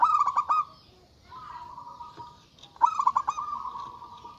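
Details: Local zebra dove with a big, loud voice, calling to provoke rivals. Two quick rippling bursts of cooing notes are each followed by a long steady tone.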